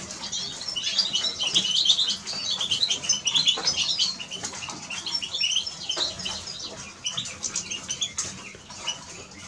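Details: Twittering song of a Eurasian siskin, busy and high-pitched for the first five seconds, then thinning into scattered chirps with short gaps between them.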